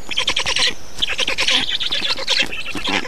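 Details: Estonian black storks calling at feeding time, 2 June 2019. Rough, grating calls pour out in quick stuttering pulses, almost continuous, with a thin steady whine running faintly behind.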